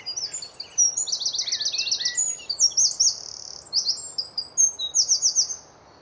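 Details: Eurasian wren singing in a tree early on a spring morning in Hampshire, UK, recorded on a Nikon D500: a loud, high, rapid song of sharp notes with fast trilled runs, ending abruptly after about five seconds.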